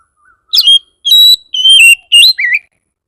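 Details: Song of an Oriental magpie-robin played to get other magpie-robins responding: five rich whistled phrases, some held steady, others dipping or wavering, delivered at an even, unhurried pace.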